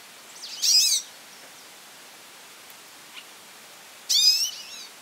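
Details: Goldfinch calling insistently, giving two loud bursts of high, twittering, wavering notes roughly three and a half seconds apart, with a faint chip between them and low background hiss.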